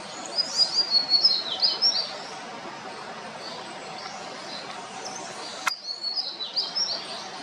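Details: Yellow-bellied seedeater (Sporophila nigricollis) on Comandatuba Island, Bahia, Brazil, October 2023, sings a quick run of high, sweet twittering notes, pauses, then starts again, over a steady background hiss.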